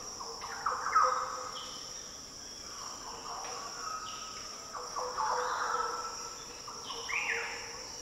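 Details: Green Orioles in the Daintree rainforest, Australia: scattered deep, fluty song phrases, some rising and some falling, fairly soft beneath a loud, steady insect chorus.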